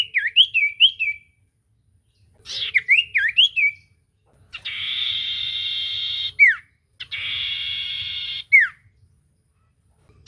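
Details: Common iora song used to stir a silent bird into song: wavy whistled phrases, then two long, steady, level whistles, each ending in a sharp downward slur.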